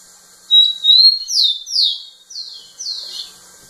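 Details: Rufous-collared sparrow singing insistently right in front of a female: two clear level whistles, the second rising slightly, then four loud downslurred whistles falling in pitch, each about half a second long, in a quiet setting.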